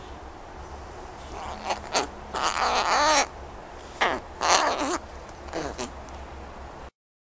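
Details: Captive American crow making noise: harsh, rasping, nasal calls in uneven bursts, some drawn out and wavering, others short, over a steady low hum.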